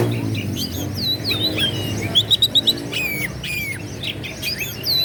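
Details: Oriental magpie-robin (kacer) singing to provoke rivals: sweet whistled notes sliding down and up, a short run of sharp repeated clicks, and clear descending whistles, with soft low background noise.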